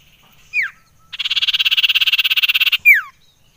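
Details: Common iora (cipoh) call played as a lure to stir up and excite other birds: a short downslurred whistle, then a buzzy, rapid pulsed trill lasting about a second and a half, ending in another sharp descending whistle.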